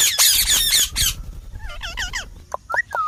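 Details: Green parrot opening with loud continuous harsh screeching, then shifting to softer looping warbles and short whistled notes rising and falling.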